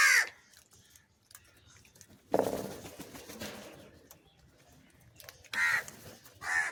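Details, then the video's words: Crow fed various foods and calling for cheese gives harsh, raspy caws: one at the start and two close together near the end. A broad noisy burst, like rustling or movement, falls in between. "Different Crow Sounds and Calling for Cheese"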